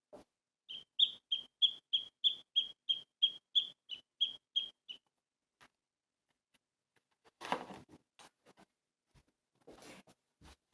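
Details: Sparrow played back in a children's bird-guessing game: a steady series of about fifteen short, high chirps, roughly three per second, followed by rustling and handling noise.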